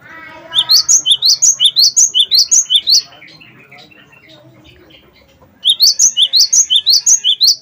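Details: Gelatik batu of the wingko type delivering long runs of piercing, rising two-note whistles, nearly three per second, broken by a quiet spell of soft background noise before another run.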